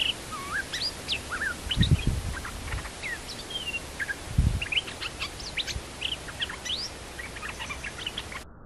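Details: Caged bulbul, arriving quietly and then leaping at its cage hard enough almost to break it, gives a busy run of short whistled and chirping notes, many rising or falling, repeated throughout, with a few low thumps from the cage.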